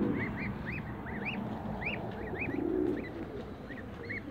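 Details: Muscovy ducks (two males and one female) in a backyard give short, bright chirping peeps, several per second in loose bursts, over a steady low rumble of background noise.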